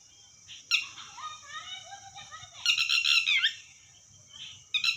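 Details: Red wattlebird calling: harsh, raspy bursts with a broad band of noisy harmonics, plus softer descending chattering notes in between and a steady high hiss throughout.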